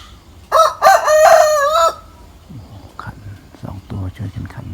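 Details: Rooster crowing in the morning from a mango treetop: a loud stuttering start and a long level cry lasting about one and a half seconds, followed by a man speaking and faint background sounds.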